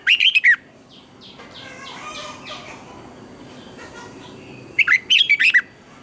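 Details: Red-whiskered bulbul singing its morning song, described as double twisting notes and used as a lure song for training other birds. Two bright bursts of rapid, warbled whistles, one at the start and one near the end, with soft distant chirps between.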